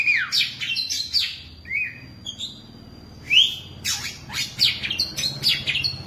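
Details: Oriental magpie-robin that has lived ten years in a cage sings a lively mix of sliding whistles, a long thin high note, a rising slur and quick scratchy chirps, above a soft low hum.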